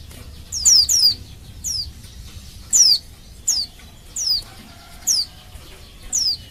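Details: Series of high, down-slurred whistled notes from a female white-eye calling males into song, with a quick double at the start and then single notes at uneven intervals of about a second.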